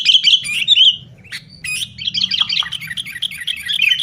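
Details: Sooty-headed bulbul chatter used to coax caged bulbuls into song; a whistled run fading out near 1 second, a few isolated clicks, then steady rapid twittering over a low rumbling background.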